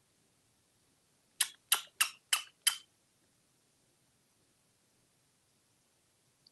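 Five sharp clicks in quick succession in a quiet indoor room, followed by near silence.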